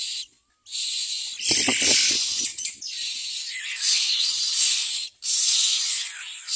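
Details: Common myna chicks in the nest give harsh, hissing, raspy begging calls in long, nearly continuous bursts with brief pauses as a parent brings food. A few soft rustles and thumps are heard in between.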